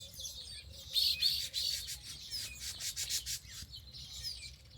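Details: Several birds chirp and twitter in a natural setting, with quick high notes bunched into busy bursts around the middle and a faint steady low hum underneath.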